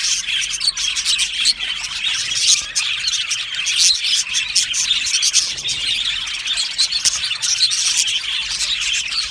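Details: Happy budgerigars in an aviary colony, a dense, continuous chorus of high, scratchy chirps and twitters overlapping without pause, many birds calling at once with steady loudness throughout.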